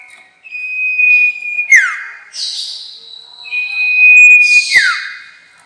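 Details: Sirtu, or White-shouldered Triller, lure sound for catching birds: a steady whistled tone breaks into a buzzy falling slur, then a hissy high phrase and a second whistle-and-slur sequence.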